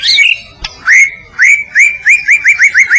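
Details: White-rumped shama (murai batu, Medan type) giving masteran training song: a short whistle and a sharp click, followed by clear upslurred whistles that repeat faster and faster toward the end.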